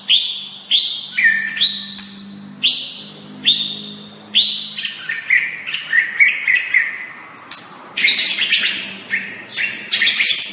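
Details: White-rumped shama singing a training master song: strong whistles alternating high and lower pitch, then a rapid, varied warbling passage and finally harsh, high buzzy chatters; low steady hum underneath.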